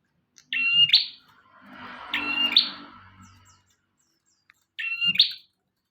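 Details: Bar-winged prinia in full song, suited as a tutor recording for cage birds: three sharp phrases, each a level high whistle ending in a rising buzzy flourish, separated by gaps, with a soft low rumble between the first two.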